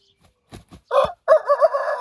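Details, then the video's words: Rooster giving a few low clucks, then breaking into a brassy crow that wavers in strained pulses. "Roosters crowing compilation | Sounds of roosters"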